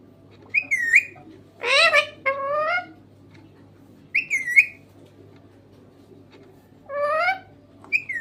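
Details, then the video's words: Green parrot alternates short curling whistles with buzzy, wavering speech-like phrases, sounds spaced by silent gaps of one to two seconds, over a low steady hum. "Talking parrot"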